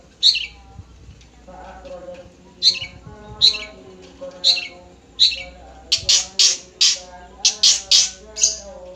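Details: Long-tailed shrike of the nogosari type, giving harsh, squawky, broadband notes: three spaced calls about a second apart, then a quicker burst of around nine rasping notes, over a low steady hum.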